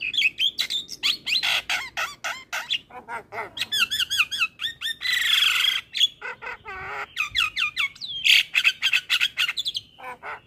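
Javan myna in a dense, restless song of harsh squawks, chatters and looping whistles, several notes a second with brief pauses between bursts.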